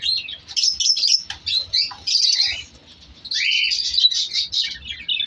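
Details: Winter breeding colony of African lovebirds in an aviary. Bursts of piercing chirps and squeaks alternate with short pauses, and a harsher buzzy call stands out near the middle.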